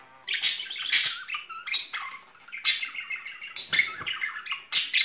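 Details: A pair of budgerigars in spring courtship chatter with bursts of harsh squawks and high warbled chirps, loud and busy throughout, in a small indoor room.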